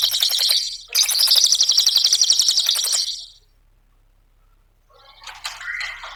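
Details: Cililin singing for a lure and master recording: two bursts of rapid, high, rattling trills, then a pause and a softer scratchy chattering phrase.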